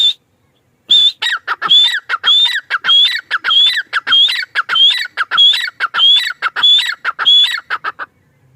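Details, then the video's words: After a brief silent start, a male grey francolin launches into a steady series of about a dozen loud phrases, each a sharp high whistle dropping into lower falling notes, evenly spaced. "Teetar ki awaaz | teetar sound | teetar ki boli | male tetar sound"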